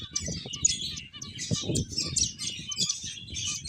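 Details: Playing finches keep up a steady run of thin, high chirps, with short soft notes repeating at a lower pitch and light rustling and bumping in the background.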